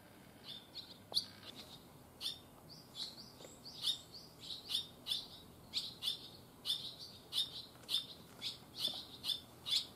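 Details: Barn swallow fledglings on their first day out of the nest, in Japan: a steady series of high, sharp chirps with buzzy bands, repeated about every half second, several birds calling together.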